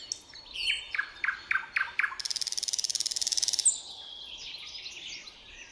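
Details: At sunrise a common nightingale sings, recorded with a Sony DSC-RX10M3: several loud, separate piping notes, then a fast rattling trill of rapid repeated clicks lasting about a second and a half, followed by a fading, softer warble.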